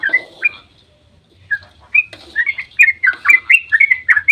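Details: Dawn 'ropel' song of a sooty-headed bulbul used as a lure: two bright whistled notes, a second of quiet, then an accelerating, dense burst of chirping, rolling phrases.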